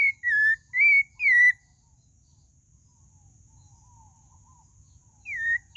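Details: A pale-breasted thrush, the sabiá-do-barranco, gives three fluid whistled notes in quick succession, falls silent for several seconds, then adds one more descending whistle.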